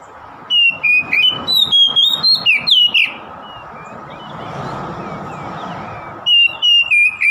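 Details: Oriental magpie-robin song meant to provoke a rival: loud, clear whistled notes in a rapid run of short, sharp phrases for about three seconds, then a pause with soft background hiss, then another burst of repeated whistles.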